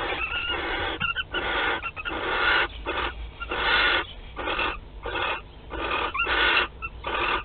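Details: Western barn owl at a nest on 15 March 2021, the day its first egg was laid, at Théding, France, giving harsh, breathy hisses in bursts about every second, broken by short gaps, with a few thin whistled notes mixed in.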